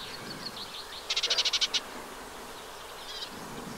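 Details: A nesting Eurasian reed warbler in a wet meadow along the Vilaine near the Arzal dam in Brittany, 15 June 2023, delivers one quick run of about eight grating, evenly spaced notes amid faint squeaks and background hiss.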